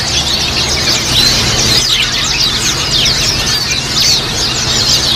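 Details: Several Japanese white-eyes chattering together, sound meant as therapy for pet white-eyes to start singing fast; rapid high twitters and slurred upward whistles overlapping continuously, faint low hum.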